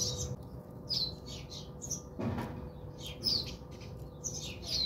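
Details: House sparrows bathing at a home in South Africa give busy, overlapping high chirps, with a soft thud or splash in the middle and a low background hum.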